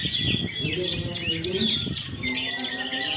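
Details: Caged black drongo from Jakarta, just out of its moult, gives quick whistled and chattering notes with sliding phrases, while low hum and faint voices run underneath.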